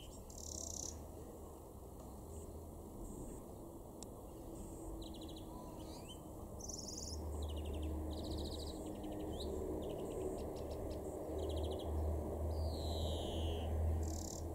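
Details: In a garden in Weener, East Frisia, northwest Germany, in June 2021, a European greenfinch gives twittering chirps and short trills with a drawn-out buzzy wheeze near the end, over steady low rumbling background noise.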